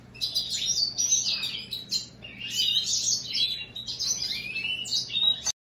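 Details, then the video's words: Goldfinch and greenfinch hybrid pours out continuous high twittering song with buzzy chatter, quick rising and falling whistles and sharp chips in long run-on phrases. It ends abruptly, with a faint background hum. "هجين الحسون الامريكي مع الخضري"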